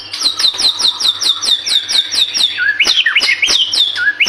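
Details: White-rumped shama singing briskly as a singing lure: quick, regular high notes repeated about twice per second, then varied whistled phrases jumping between lower and higher pitches.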